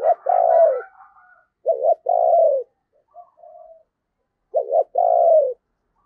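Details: Spotted dove used as a decoy to attract wild doves, cooing in repeated phrases: a brisk two-part stutter then a long, smooth, slightly descending coo, about every three seconds, with a faint quiet note between.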